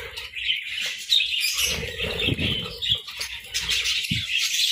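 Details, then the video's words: Morning parakeet chirping: a constant rapid chatter of thin squeaks and warbles, accompanied by rustling and fluttering sounds and a brief low thump near the end. "Morning Chirping Parakeets"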